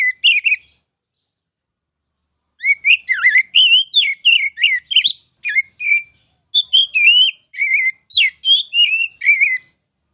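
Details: Oriental magpie-robin (kacer), a contest candidate, in masteran song: a short phrase, then silence, then a long lively run of loud slurred whistles and chattering notes in quick succession.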